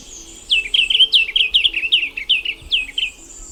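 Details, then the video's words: Diademed tanager, also called white-capped tanager, singing: a fast series of high, sweet downslurred whistles repeated about two or three per second, clear and loud over quiet background. "The Sound of the Diademed Tanager - Sound Birds - White Capped Tanager"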